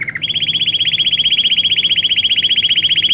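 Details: Belgian canary training song: a short low note, then a fast even trill of bright repeated notes, about four per second, held for three seconds.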